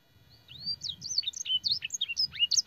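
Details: Canary master song with blackthroat and sanger phrases. It opens with a long rising whistle, followed by quick varied chirps and slurs, over a soft low rumble in the background.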